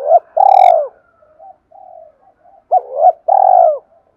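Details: Spotted dove in the 'Thúc' calling style used to lure wild doves: two phrases, each a short clipped note followed by a long vibrating coo that drops in pitch, with quiet murmuring between.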